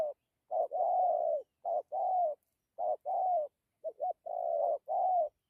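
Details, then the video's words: Spotted dove cooing in the dặm kèm gù style: five low hooted phrases, each a short note leading into a longer, steady coo, delivered at a regular unhurried pace. "Thổ tốt tiếng gù tốt dặm kèm gù"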